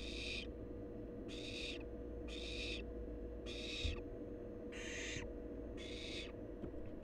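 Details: Young wild barn owl at the nest repeating harsh breathy screeches, six in seven seconds, each about half a second long, against a steady background hum.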